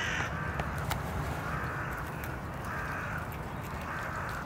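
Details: Hooded crow (Corvus cornix) in Tivoli Landscape Park, Ljubljana, on 15 December 2022, gives hoarse, drawn-out caws about every second and a half over a steady low rumble of distant traffic.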